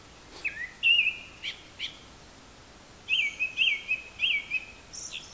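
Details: A Japanese thrush singing from a high perch, seemingly mimicking other birds: rich, rapidly warbled whistles in two bursts, the second a series of looping rising-and-falling notes, ending with a brief thin, high squeak.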